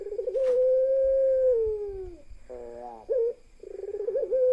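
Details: In a parade of pelung ringneck doves including one hen, a long steady coo slides downward at its end, followed by a brief burst of stacked rattling notes and a wavering trill that leads into the next coo.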